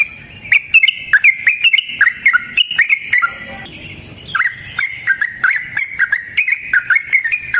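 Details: Wild yellow-vented bulbul in natural forest surroundings, used as a lure to provoke other bulbuls into singing: long, non-stop chattering song of rapid whistled notes, bubbling up and down, briefly pausing midway before resuming.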